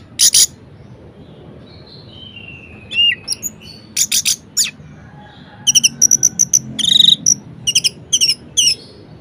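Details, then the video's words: Varied song of an Orange-headed thrush, used to stir reluctant birds to sing: scattered sharp chips, a few falling whistled slurs, then dense bursts of high, rapid, clipped notes in quick succession. "Anis Merah Gacor Variasi Bangkitkan Emosi Anis Malas Bunyi Agar Rajin Berkicau"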